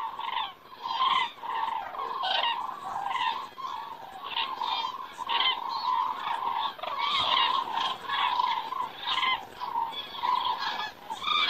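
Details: Flock of cranes passing and wheeling in the evening sky, Estonia, September; continuous overlapping trumpet-like calls, a steady wash of bugling voices that swells and dips.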